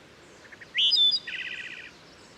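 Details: Wood Thrush singing beside Herring Run stream in Susquehanna State Park near Havre de Grace, Maryland: soft low introductory notes, a loud fluting phrase, then a trilled buzzy ending, all carrying a gentle forest-and-ravine reverberation.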